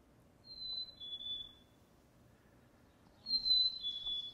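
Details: A Black-capped Chickadee gives its clear two-note "sweetie" whistle, a high note sliding lower, sung twice about three seconds apart, a call for attracting a mate and settling territory, over a quiet low hum.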